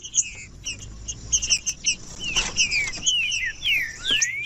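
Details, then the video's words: Green-winged saltator phrases for warming up tournament birds: soft chirps and short whistles at first, then a quick series of loud downward-sliding whistles and a final upward glide, amid high twitters. "TRINCA FERRO CANTANDO"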